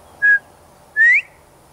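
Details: Loud two-note whistle of a male Northern bobwhite perched in a tree in Texas: a short steady note, a pause, then a longer clear whistle sweeping upward, against a quiet background.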